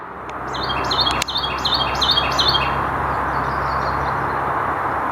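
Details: Carolina wren, a small bird with a powerful call, gives a loud, ringing series of four or five quick, high repeated phrases over about two seconds, heard on a forest trail against a steady rushing background noise.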